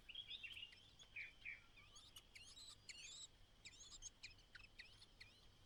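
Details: ['Only chick of a white-browed laughingthrush on its last day in the nest, the mother calling it out; quick sharp chirps and thin upswept notes in clustered runs, over constant high hiss.']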